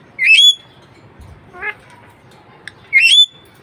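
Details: Pet budgerigar giving two loud rising screechy squawks about two and a half seconds apart, with a softer buzzy note and a click between them.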